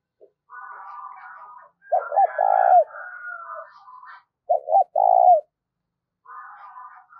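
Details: Spotted dove used as a lure, cooing fast: two strong low phrases of quick double notes ending in a long hum, set among continuous higher warbling and twittering from other birds.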